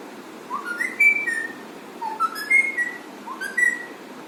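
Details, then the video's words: Pet Alexandrine parakeet whistling three similar phrases, each rising in quick steps to a held bright note and then falling slightly, spaced about a second apart over steady background hiss. "the alexandrine parrot funny sounds"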